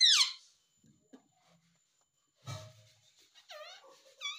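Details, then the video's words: Pet parrot that talks, saying mummy and papa, opens with a loud, harsh, descending squawk, goes quiet with soft bumps, then gives a noisy burst and wavering, whistle-like, voice-imitating notes. "Mummy boluga papa boluga _ Talking Parrot _ papa mummy bolta mitthu"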